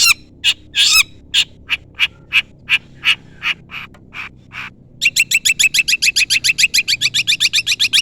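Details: Long-tailed shrike calling a rival, used to lure shrikes into responding: evenly spaced harsh notes slowly fading, then a fast, steady series of grating chatter notes repeated several times a second.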